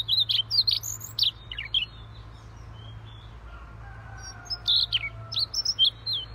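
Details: Energetic Siberian rubythroat song: two clusters of high, scratchy, jumping notes at the start and end, separated by a quiet pause crossed by a faint, long, level lower whistle.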